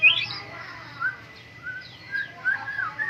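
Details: Caged white-rumped shama from Medan, Indonesia, aired in the morning dew, delivering spaced clear whistled notes that slide down and up, each short phrase followed by a pause.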